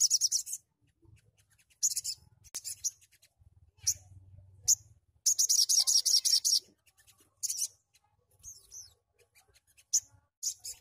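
Sogon giving rapid, high, buzzy bursts of trilled notes about a second long, separated by short pauses, with a few thin chirps; a faint low hum underneath.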